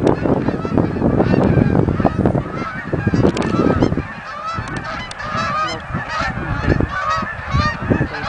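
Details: Canada geese coming in at Oak Hammock Marsh and Fort Whyte: a flock gives many overlapping nasal honks. Heavy low rumble, like wind, fills the first four seconds, then the honking continues more clearly.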